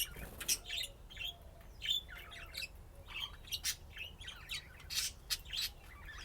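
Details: Budgerigars at play keep up a steady chattering warble of short chirps, buzzy squawks and a few sharp clicks, with irregular louder bursts.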